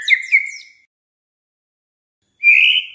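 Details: Short fragments of white-rumped shama song used to provoke other shamas to sing: a pair of quick whistled notes, a pause, then one sustained buzzy whistle.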